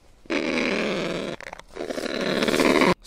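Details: A kakapo, a New Zealand bird now confined to predator-free islands, gives two harsh, grunting, roaring mating calls in quick succession.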